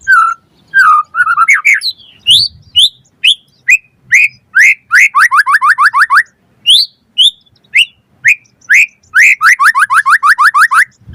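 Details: White-rumped shama song used as a lure to trigger replies: loud varied whistled phrases, rising notes and rapid runs of clear upslurred whistles repeated about twice a second, with sharp high chips between.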